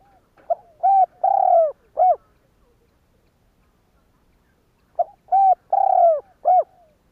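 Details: Cooing of a spotted dove, used to provoke other doves to coo. Two identical phrases about four seconds apart, each a quick soft note, two drawn-out husky coos and a short final coo, with silence between.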